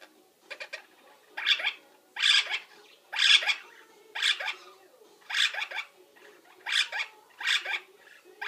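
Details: Pet parrot during its nap routine, mimicking lovebird-like linnies, budgies and microwave beeps; harsh chirping bursts repeated roughly once a second, each a quick cluster of rasping notes, indoors.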